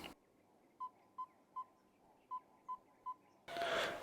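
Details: Yellow-rumped Tinkerbird in green, leafy Oloolua Forest beside a stream near Nairobi, Kenya, a bird more often heard than seen: hollow, pure 'tonk' notes in two runs of three at an even, quick pace; a burst of rushing noise cuts in at the end.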